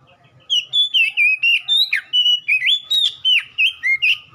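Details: Oriental magpie-robin song used to prompt a cage bird into singing: a continuous sequence of about fourteen loud whistled notes, many sliding down steeply, delivered at a brisk pace with only faint low hum behind.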